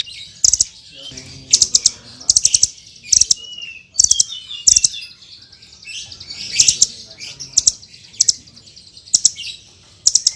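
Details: Srindit hanging parrot giving full song as a tutor for other birds: sharp high rattling trill bursts roughly every second, interspersed with thin squeaks and chirps over a quiet background.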